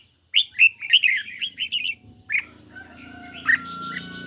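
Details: Singing duel between a caged red-whiskered bulbul and a phone playback under mild sun: a quick run of warbled, bubbly notes, then a lone note, a steady tone and some background noise.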